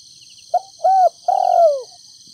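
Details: Spotted dove kept as a decoy in Ninh Thuận, Vietnam, cooing in the halting 'thúc gù cà lăm' manner ('thổ đồng' voice) to draw wild doves: a clipped note, a short arched coo and a longer drawn-out falling coo, with constant high-pitched hum behind.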